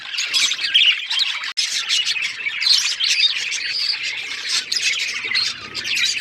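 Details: Budgies chirping in a busy group, high rapid twitters and warbled notes overlapping steadily, broken by one brief click-like gap early on.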